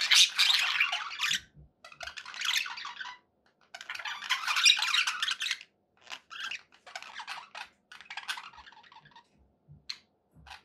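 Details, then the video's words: Happy pet budgerigars indoors, giving rapid, raspy chattering in long bursts with quick squeaky notes, pausing briefly between phrases, loudest at the start and midway. "happy budgie sounds"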